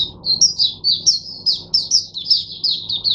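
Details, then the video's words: Oriental white-eye singing in captivity as a model for other white-eyes, 22 January 2022. Fast, high, sweet twittering phrases pulse several times a second in a clear, unbroken stream. "teacher bird for my other mata putehs"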